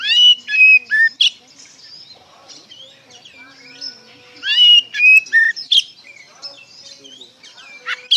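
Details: Oriental magpie-robin delivering a loud ngeplong song meant to draw replies from other magpie-robins; clear whistled, rising and falling phrases with crisp chatter, repeated in bursts separated by quieter twittering.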